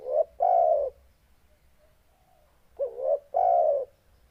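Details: Deep, powerful cooing of a spotted dove: two low phrases, each opening with a short rising note and ending in a sustained, gently falling coo, about two and a half seconds apart.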